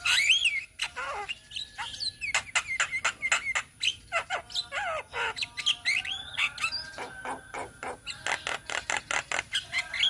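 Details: Group of Javan mynas in Indonesia in an ombyokan chorus, raw training material: looping whistled notes and squeaks at the start, then rapid sharp clicks and harsh chattering bursts repeated in quick succession.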